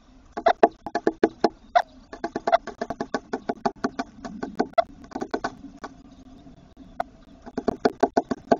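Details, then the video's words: Close-range Eurasian wryneck using a tit nest box, giving long runs of rapid nasal, knocking notes that speed up and slow in irregular clusters, with a quiet stretch mid-sequence. "Как поет вертишейка. Голос вертишейки."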